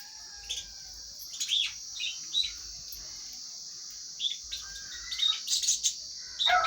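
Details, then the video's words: Lovebirds feeding, with bright, squeaky chirps singly and in quick pairs, growing busier toward the end, over an unbroken shrill background drone. "Love birds sounds"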